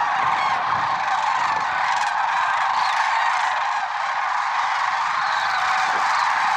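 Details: Massed lesser sandhill cranes, Merced National Wildlife Refuge, early morning of February 6, 2023; constant dense honking and rolling calls from a large flock, steady in loudness throughout.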